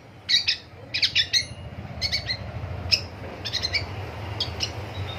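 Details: A Long-tailed shrike calls in the morning with short groups of sharp, scratchy notes in twos and threes over a steady low rumble of background noise.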